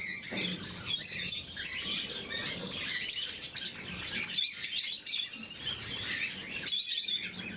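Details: Blue-mutation lovebirds at morning feeding chatter in piercing, sharp chirps, dense and unbroken, briefly thinning before a final loud burst.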